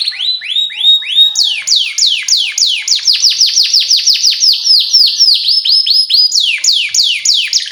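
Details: Canary song for training young canaries: steady series of sweeping downward chirps, about three per second, phrases stepping between lower and higher pitches, loud and clean.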